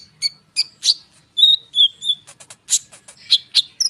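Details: Konin bird singing as a lure for other birds: sharp high chips, a few drawn-out descending whistles, then rapid clustered notes, all high-pitched and varied.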